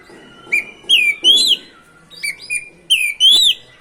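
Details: Oriental magpie-robin (kacer) singing to provoke other magpie-robins: paired whistled phrases that rise and curl upward, given twice with a short gap, over a faint low hum.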